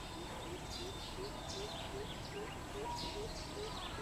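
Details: Deep, resonant hoots of a greater coucal, recorded 13 June 2020, come evenly about three times a second at a low, level pitch, while thin high calls of other birds sound above.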